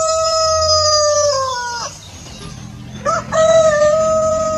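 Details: Farm rooster gives a long, level crow that sags slightly and fades at about two seconds. After a low rumbling pause, a second rooster crow starts with a quick rising note and then holds steady.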